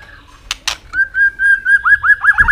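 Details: White-rumped shama singing to provoke other birds to sing: a run of clear whistled notes near one pitch, repeated about every quarter second and bending into upslurred loops toward the end, after two brief harsh bursts.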